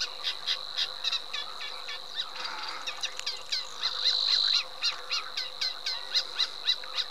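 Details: Eurasian reed warbler song of rapid, regular chattering notes, about four per second, delivered steadily with a persistent shrill tone running underneath.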